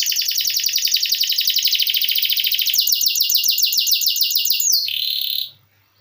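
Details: Canary singing continuously in the style called ngeroll, meant as a tutor recording for other songbirds: a long, even, very rapid rolling trill that shifts pitch partway through, ends in a short upward-slurred flourish, then stops.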